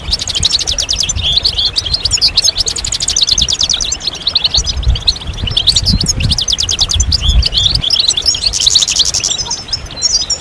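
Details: Collective goldfinch singing meant to stimulate other goldfinches. Loud, rapid, liquid twittering and trills fill the whole stretch with hardly a break, over faint low rumbling.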